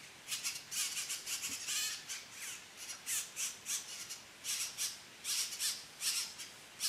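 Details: Red-bellied grackle nest with three chicks being fed, filmed in 2012 in La Romera reserve, Sabaneta, Antioquia, Colombia: harsh, hissy squawks come in rapid bursts, roughly two to three each second, with a faint background.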